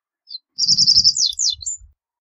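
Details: Reed bunting singing a short phrase: a brief high note, then a dry buzzy rattle of rapid notes that ends in quick descending slurs and a thin upward flick. Faint low rumbling under it.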